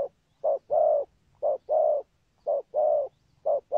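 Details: Low mellow coos of a spotted dove with a patterned song and 'thúc gù' cooing, each pair a clipped note followed by a longer rounded one, repeating about once per second.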